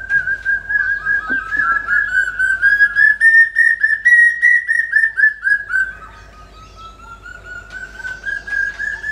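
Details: Brain fever bird (common hawk-cuckoo) pours out a fast, unbroken run of whistled notes, rising slightly in pitch then dropping, fading briefly before picking up again, against low background hum.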